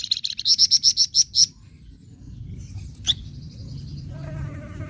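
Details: Flamboyan bird nyecret chatter for provoking other birds: a rapid string of about ten high bright notes in a second and a half, then quieter faint chirps and a soft trill over low rumble.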